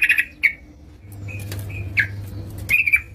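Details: Yellow-vented bulbul singing energetically at home: scattered short bubbly notes near the upper-middle range, brief clusters at the start, middle and end separated by quiet gaps, over a steady low hum.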